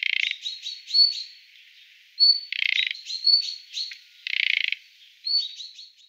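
Thrush nightingale song: loud, dry rattling bursts like a fast clicking machine, alternating with short pure whistles and chirped phrases, all high-pitched and delivered in quick succession.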